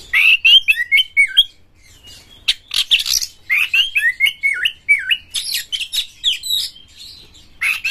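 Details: White-rumped shama, a prize-winning bird singing hard with tail spread, used to stir other shamas: long varied song of looping whistled notes, rapid chips and harsh high bursts with almost no pause.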